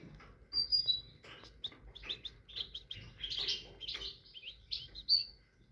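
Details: Tit song: lively, busy twittering of high chirps and warbles, broken by brief whistled notes at the start and end, steady for nearly six seconds.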